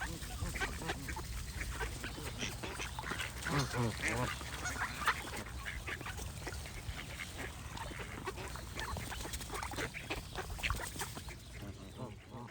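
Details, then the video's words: A goose flock gives busy, nasal honking with rapid overlapping calls in a constant chorus, a louder burst of stacked honks near the middle, then steady chatter over low background rumble. "Goose & Birds Sound Effects"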